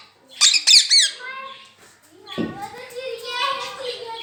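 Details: Talking ringneck parrot kept as a pet, mimicking "Mian Mitthu Chori Khani Ha": a few quick shrill squawky notes, then a drawn-out, voice-like nasal phrase.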